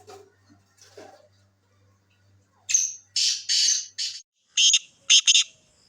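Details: Black francolin of the Sindhi type giving a harsh, grating phrase of about six loud, rasping notes in quick succession, some paired, after a few seconds of faint human voices and a low hum.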